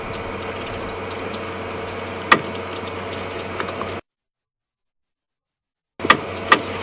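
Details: An idling vehicle engine hums, broken by a few sharp clicks and a two-second dropout into silence, with no animal sounds.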